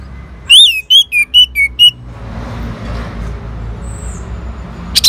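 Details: Orange-headed thrush answering a lure sound: a run of six loud, clear whistled notes, each slightly slurred and dropping in pitch, given in quick succession, then a quiet stretch with soft background hiss.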